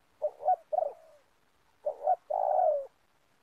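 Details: Spotted dove cooing in an oil palm plantation during bird-luring for trapping. Two phrases are heard about two seconds apart, each made of two quick low notes and then a sustained, gently falling croo.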